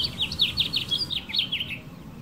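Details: Male house finch in a California backyard garden, perched on a branch and singing to attract females with other birds nearby: a rapid warbled run of bright, slurred notes, rising and falling, about ten quick phrases over two seconds before fading.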